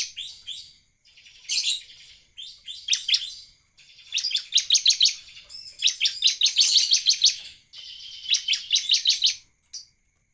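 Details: Actively singing Bar-winged prinia, used as a lure to make other prinias sing, gives rapid bursts of high, sharp chirping notes in fast, uneven phrases, about three per second, with brief pauses between bursts.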